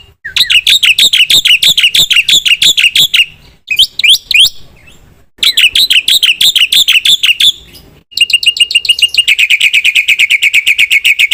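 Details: Black-winged myna singing hard with full fill-in material: long rapid rattling chirp series at high pitch, short pauses between bouts, closing with a fast, even stream of ringing notes.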